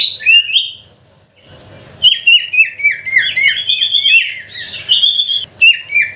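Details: Bait song of the sooty-headed bulbul, played to get bulbuls that will not sing to start: bright whistled phrases, a brief lull, then a dense, overlapping chatter of rapid falling notes.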